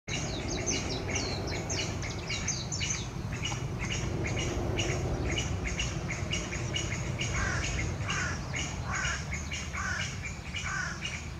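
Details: A Chinese bamboo partridge gives an unusual call of rapid, scratchy chattering notes that sweep high and then drop lower near the end, over a steady low rumble.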